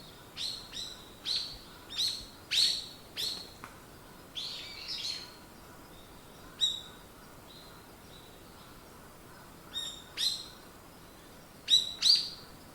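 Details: Morning birdsong of scattered sharp high chirps and short whistled notes, some in pairs, separated by long quiet gaps over a faint background hiss.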